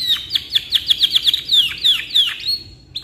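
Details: Domestic canary in full song, used for tutoring: a run of quick, evenly spaced whistled notes that loosen into longer sliding phrases and a final thin, level whistle.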